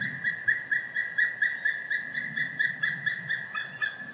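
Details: Loud, close white-tailed eagle call: a relentless series of short, piping yelps, roughly eight per second, steady in pitch, with a couple of lower, rougher notes slipping in near the end.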